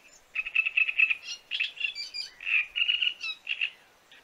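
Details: Great reed warbler song, offered as the best for calling in birds: loud, harsh, grating notes repeated rapidly in a chattering series, broken by croaky phrases and a few higher squeaky notes.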